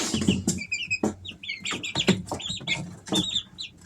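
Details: Easter Egger chicks, three weeks old, uttering brief high chirps in small bursts between loud broadband clatters and thumps, the peeps sparser than elsewhere.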